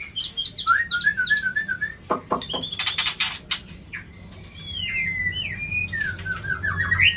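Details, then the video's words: White-rumped shama, a bird with a 24 tail, singing against a rival in a contest: varied clear whistled phrases, short slurred notes around mid pitch and rising sweeps, broken by a few sharp clicking bursts and faint low background hum. "Murai Badheuk Ekor 24"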